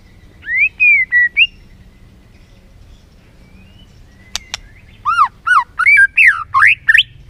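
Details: White-rumped shama singing as a lure to excite other shamas: a short whistled phrase, a pause with a couple of sharp clicks, then a run of looping, rising and falling whistled notes.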